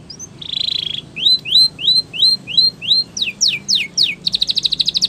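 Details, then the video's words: Spanish Timbrado canary song for training: a buzzy roll opens, followed by about seven rising slurred whistles, several steep falling sweeps and a very fast, even stuttering trill at the end. "The Best Spanish Timbrado Song For Training Your canary !! Make Your Canary Singing Again"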